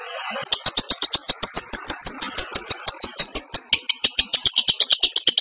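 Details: Lovebird in breeding condition, a training recording for caged birds: a fast, rapid-fire run of sharp, high chattering notes, about six per second, steady and unbroken throughout.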